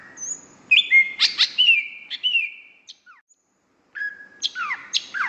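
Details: Greater green leafbird song from a champion singer used for tutoring: level whistles, sharp downward slurs and rising notes in an irregular phrase, a brief pause, then more steep descending whistles.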